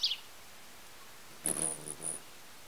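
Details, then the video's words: On 18 May 2017, a hummingbird at a feeder gives a brief falling chip, then thin, very high squeaky notes over a low buzzing hum, all within under a second. "Hummingbirds-Slow Motion and Sound"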